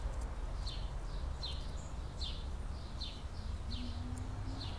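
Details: At a 2017 California scrub jay nest where a pair is rearing three chicks, a run of thin, high, falling notes comes about twice a second over a constant low background hum.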